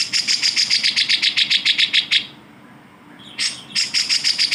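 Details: Grey-cheeked bulbul, recorded to tutor other cage songbirds like white-rumped shama and magpie-robin: a steady, rapid train of bright clicking notes, a brief pause, then a harsh burst and more chips.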